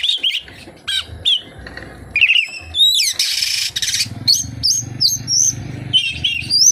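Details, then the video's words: Oriental magpie-robin delivering kapas tembak imitations: quick whistled upslurs and twisting notes, a harsh rushing burst midway, and faint low hum later on. "SUARA BURUNG KACER, FULL ISIAN KAPASTEMBAK"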